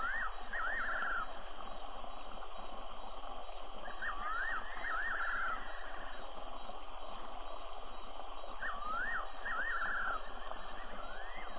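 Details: Probable fiery-necked nightjar on a Tembe wildlife webcam, 24 February: groups of two or three tremulous, looping whistles separated by pauses of several seconds, against continuous hiss.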